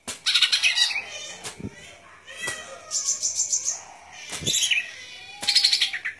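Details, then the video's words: Golden-fronted leafbird singing: rapid buzzy chattering bursts alternating with high thin whistled notes and trills, broken by sharp clicks and knocks. "Good Performance of Golden Fronted Leafbird"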